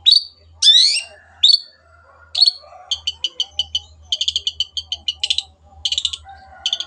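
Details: Long-tailed shrike in vigorous 'gacor' tutor song: a few harsh slurred notes, then long runs of rapid clipped, stuttering notes repeated several times a second.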